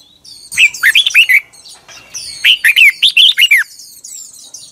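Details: Morning song of a red-whiskered bulbul, recorded in 2021 for training birds: two lively phrases of about six rapid, rolling whistled notes each, separated by a pause filled with soft high chirps in the background.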